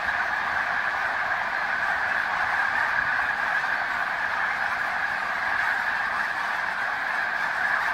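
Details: A huge Snow Goose flock at Green Lane Park, Montgomery County, Pennsylvania, USA, recorded February 23, 2019, gives a constant roar of high honking calls, individual voices lost in the mass.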